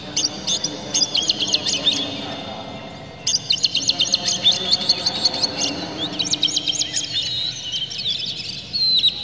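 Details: Oriental magpie-robin lure recording meant to make birds sing: dense runs of sharp, rapidly repeated chips and trills in long bursts, with a brief lull between them, over constant low background hum.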